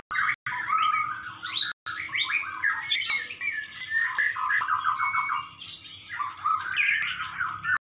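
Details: Tutor recording of white-rumped shama song for songbird keepers in Indonesia. Varied whistled and chattering phrases, fast descending trills and sharp high squeaks follow one another almost without pause, after two brief breaks at the start.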